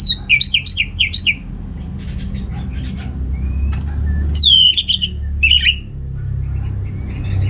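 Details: Orange-headed thrush (Geokichla citrina) song used to stimulate males lacking breeding drive; quick series of sharp chirped notes, then a loud descending whistle and a brief twittering burst, with background rumble.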